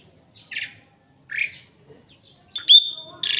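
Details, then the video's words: Asian pied starling kept in a house yard, a very loud, noisy bird likened to a guard or alarm siren: two harsh, rasping chatters, then a sharp upslurred whistle held high, ending in another scratchy burst. "BURUNG SATPAM JALAK SUREN SI ALARM SIRINE"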